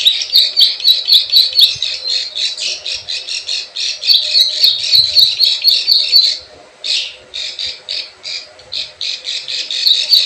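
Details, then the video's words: Plain prinia 'klik klik ciwah' lure sound meant to attract wild birds: rapid rattling high notes about four per second, a short gap, then spaced sharp chirps picking up again. "SUARA PIKAT PRENJAK SAWAH_KLIK KLIK_CIWAH"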